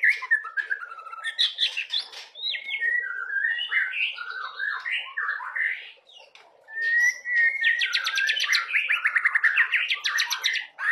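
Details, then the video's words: White-rumped shama, a young bird, delivers a long medley of looping whistled phrases and buzzy notes, pauses briefly, then resumes with a fast, high, rattling trill section. "Burung Murai Batu Trotolan suaranya udah kaya gini isiannya"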